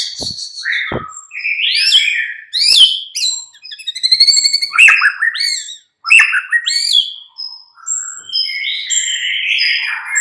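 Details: Lure song of the white-rumped shama for the mid-morning, meant to make listening birds respond and sing. Dense jumble of whistles, chattering notes and quick repeated chips, with swooping phrases and a couple of sharp clicks.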